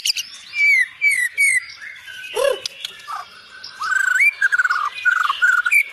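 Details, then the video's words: White-rumped shama singing: sweet down-slurred whistles repeated three times, a low buzzy note, then a series of varied whistled phrases with quick chattering notes. "Beginilah kicauan MURAI BATU SUPER"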